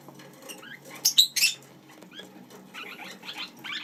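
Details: Lineolated parakeets kept as pets, together with chicks, give quiet twittering notes, then two or three sharp, loud squeaky calls near the middle, and a run of rapid, slightly rising chirps toward the end over soft rustling.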